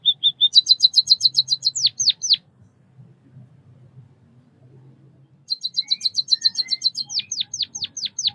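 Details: Two bursts of White-headed munia (Bondol kaji) song, each a rapid high tinkling trill ending in sharply falling chirps, separated by a quiet pause of about three seconds.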